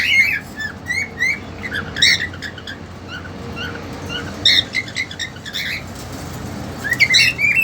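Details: Indoor cage with a young female cockatiel, two months old, housed with a male keen on mating. Clusters of clipped, upward-flicking chirps alternate with quieter gaps, with a steady low background hum.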